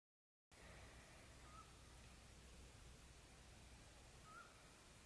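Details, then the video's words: A Eurasian scops owl (Otus scops) sings two short, soft whistled notes about three seconds apart, over a steady low rumble of background noise. "El búho que se oye cantar al principio del vídeo es el autillo europeo (Otus scops)."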